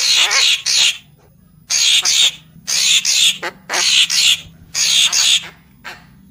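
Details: Papuan magpie-robin used as a lure call, delivering loud, harsh, buzzy bursts of about half a second, often doubled, repeated roughly once a second with short silent gaps, against a faint low hum.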